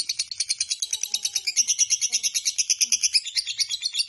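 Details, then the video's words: Lovebird Biola's long ngekek chatter, sung day and night: a rapid, even run of shrill buzzy pulses, roughly three per second, with no pause. "Lovebird BIOLA ngekek panjang SIANG MALAM"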